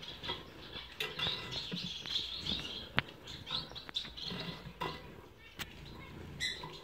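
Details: Cut-throat finch (Amadina fasciata) nestlings, siblings from 2018, give thin, high squeaky chirps in quick irregular bursts, with clicks, taps and rustling throughout.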